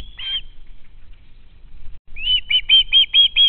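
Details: Begging juvenile osprey at its nest in August 2013, hoping to be fed: one piercing whistled scream, a two-second gap, then six rapid shrill notes rising into a steady rhythm.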